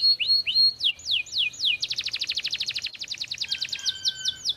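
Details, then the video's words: Canary in full ('gacor') song: looping rising and falling whistles, then a dense buzzy roll of rapid repeated notes, ending in a few clear downward sweeps. "kenari gacor siang malam"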